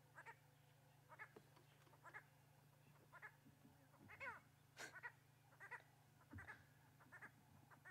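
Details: A preening purple roller perched in Djuma, Kruger National Park, South Africa, on a sunrise drive on 18 April 2016, gives short, nasal, frog-like croaks about once a second over a steady low engine hum.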